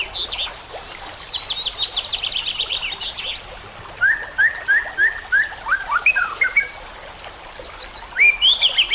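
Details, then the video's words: White-rumped shama song recorded for training shamas, with trickling water behind: a high rattling run first, then mellow whistled notes repeated about twice a second, ending in sharp upslurred whistles. "Dengan CEPAT murai batu AKAN EMOSI dan IKUT GACOR dengan masteran murai batu ini"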